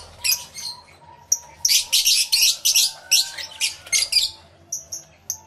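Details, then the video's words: A crowded lovebird aviary, live stereo recording made with two external microphones: sharp, high chip notes come in quick clusters, then fade to a few isolated thin squeaks. "Lovebird Sounds Aviary Series V1"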